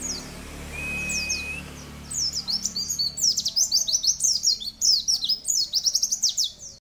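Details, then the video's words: Mountain white-eye, from tutor song material (masteran) featuring long 'cerrr' runs: a few sparse high chirps and one flat whistle, then a continuous rapid, high-pitched chattering twitter of sharp slurred notes for nearly five seconds. "Masteran pleci terbaru nembak cerrr... panjang"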